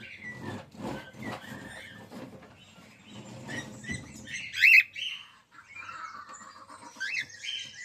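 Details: Female cockatiel in captivity gives a few short chirps that rise and fall, the loudest near the middle, over soft tapping and rustling.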